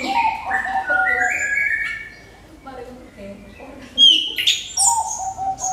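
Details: Orange-headed thrush singing a lure song to draw other birds into song: clear stepped whistles climbing in pitch, a quieter stretch of soft low notes, then an abrupt burst of shrill high phrases.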